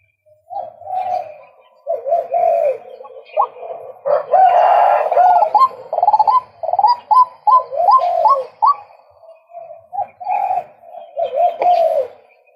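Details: Long bout from a male White-breasted Waterhen: rough croaking phrases swell into a loud buzzy burst, followed by many rapid upslurred notes repeated roughly three per second, fading into rasps.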